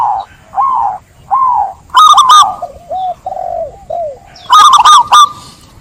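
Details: Soft separate cooing notes lead into loud rapid stuttered trills from a zebra dove, with lower gentle coos between the bursts.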